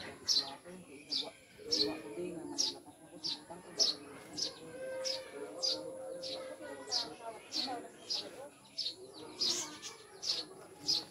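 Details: Newly kept Eurasian tree sparrows (maya), described as birds from the mountains, chirp steadily in short piercing notes roughly every half to one second across the stretch, with background voices and a faint constant high whine.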